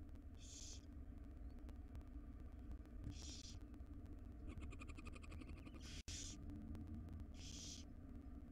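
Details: Wild barn owl chicks, five nestlings fed breakfast by their mother, give repeated noisy hissing screeches, four main bursts plus a rapid clicking ticking series, all over steady low background hum.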